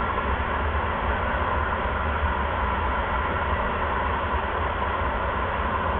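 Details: Steady loud droning hum like an idling engine, unchanging for the whole stretch, with no animal calls.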